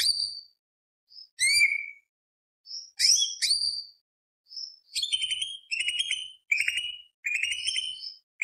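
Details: Greater green leafbird giving scattered whistles and sharp sweeping notes, then a series of quick rolling trilled phrases repeated with short gaps.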